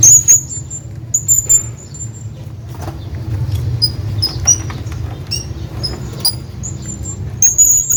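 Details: Shrill, thin, high-pitched squeaks from a hanging parrot calling its friend, loudest at the start, after one second and at the end, with softer scattered chirps between them and low background noise.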